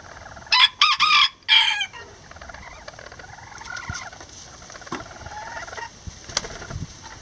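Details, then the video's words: Miniature Lavender bantam roosters and a hen nest-building together. Three loud, harsh, broadband squawks come in quick succession near the start, followed by softer murmuring clucks and scattered clicks. "Miniature Roosters And Hen Build A Nest Together | Chicken Sounds Lavender Bantam"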